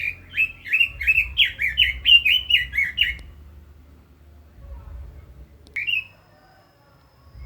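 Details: Red-billed leiothrix giving a fast, even string of about nine clear whistled notes that rise and fall in three seconds, then a long quiet gap and one final bright note.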